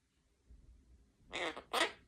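A pet monk parakeet gives two quick, harsh, raspy bursts, one right after the other.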